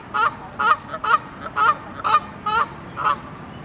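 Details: Canada geese, honking loudly before taking off, give a run of about eight loud, nasal, two-part honks, roughly two per second, with no other sounds standing out.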